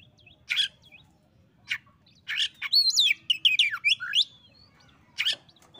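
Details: Singing oriental magpie-robin answering and provoking a reluctant rival: a few harsh buzzy notes, then a rich tumbling sequence of whistled, swooping phrases, ending with another rasping burst over a soft low background hum.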